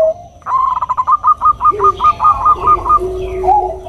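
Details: Bangkok-type zebra dove, a female calling to males, giving a quick run of about a dozen short clipped cooing notes at a steady mid pitch, while a second, lower, drawn-out coo sounds underneath, then a brief higher coo ends it.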